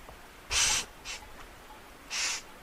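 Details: Eurasian magpie rasping three times: a long harsh burst, a short clipped one, then another long grating note after a pause.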